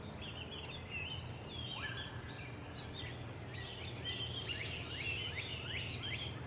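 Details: Baltimore orioles at their nest at Salt Point, visited by both parents on 27 June 2020, give a busy stream of high, thin chirps and short slurred whistles, several at once, over a steady low rumble.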